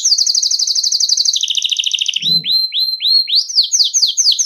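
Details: Belgian canary singing nonstop to train young canaries; rapid high trill drops to a lower trill, then slower rising whistled notes and falling notes, with a brief low thump.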